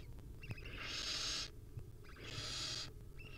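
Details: Two long, loud hissing screeches, each about seven tenths of a second, come a second apart from a wild barn owl nest where a mother sits with her chicks, with faint clicks and a low hum between.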